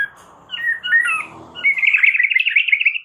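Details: White-rumped shama training song: after a soft muffled start with a few slurred whistles, a fast, continuous, rattling trill of high notes carries on to the end.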